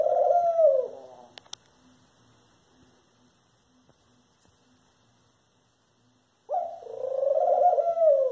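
A Eurasian collared dove gives two low, hollow cooing phrases about six seconds apart, with near silence and a few faint knocks between them.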